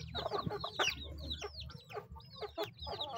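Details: Eating chickens give quick, high, falling peeps, some paired, with brief lower clucks and pecking taps between them.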